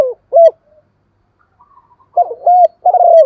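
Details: Spotted dove used as a decoy bird, cooing to call in wild doves: low hollow coos in short bursts, a pair of notes near the start, then three quick coos close together after a pause, with faint higher wavering notes between.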